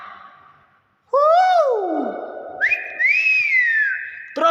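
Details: Nias hill myna giving its natural voice: loud, pure whistles, one rising then sliding down, then a long held whistle that swells and falls back, with a short clipped note at the end, people chatting quietly before and after.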